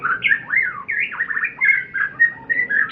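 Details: White-rumped shama in full song. A continuous, varied stream of rich whistles swoops up and down, with rapid slurred notes and short trills, and no pauses for three seconds.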